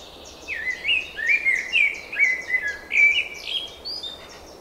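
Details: A lively spring song of repeated whistled phrases, each note sweeping up then dropping, delivered in an unbroken string of about eight bursts with high twittering layered above.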